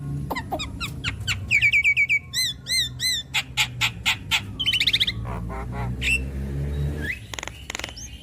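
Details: Javan myna singing its mimicked repertoire to help a stressed bird become vocal: rapid chips, then loud looping whistles repeated in series, harsh grating calls and a buzzy trill over low background hum.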